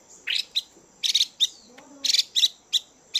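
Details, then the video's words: Female Chinese hwamei in captivity, calling to stimulate males. Quick clusters of scratchy chip notes repeat irregularly, several times a second, with faint low sounds between the bursts. "Chim Hoạ Mi Mái VIP Chùi Kích Bổi Căng Lửa Mái Gột Chiến."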